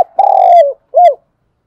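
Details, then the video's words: Decoy spotted dove giving its morning flock-calling coo: a long, slightly rough coo that drifts downward, followed after a brief gap by one short rounded coo, with no other sounds. "tiếng cu gáy gọi bầy buổi sáng"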